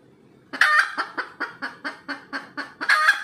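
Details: Red junglefowl hen after egg-laying: a long harsh squawk, then a steady train of about nine clucks a quarter second apart, closing with another drawn-out squawk.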